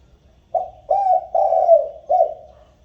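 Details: Spotted dove cooing to call the flock, a recording used to stir up and train decoy birds; a single phrase of four low, husky coos, the third long and drawn out, over a quiet background.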